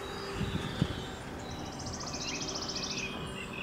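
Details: Red-crested cotinga (Ampelion rubrocristatus) at Laguna Corani, Cochabamba, Bolivia, in April 2023, gives a dry, rapidly pulsed, high rattle lasting about a second and a half, over a low rumble of wind.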